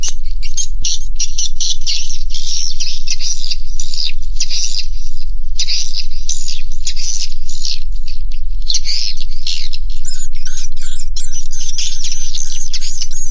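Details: Swiftlets inside a swiftlet house: dense, overlapping buzzy chirps and twitters from many birds, pouring out almost continuously, over a steady low hum. After about ten seconds a sharper, higher twittering layer joins in.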